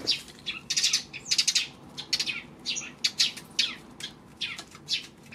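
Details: Sparrows photographed on 26 May, giving a busy series of short bright chirps, often in quick doubled or tripled bursts, repeated irregularly through the whole stretch over a faint steady background hiss.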